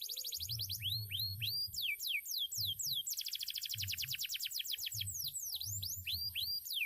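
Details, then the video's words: Canary, once a field bird, delivers a strong song of curved descending whistles, then a long rapid rattling trill and swooping notes, with muffled low thumps repeating behind. "KENARI BIKIN MELONGO..SUARANYA MANTAP"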